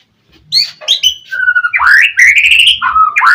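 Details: Oriental magpie-robin gacor song played to make a rival respond: high chirps, a flat sustained whistle, then rising slurred notes run into a rapid warbled phrase.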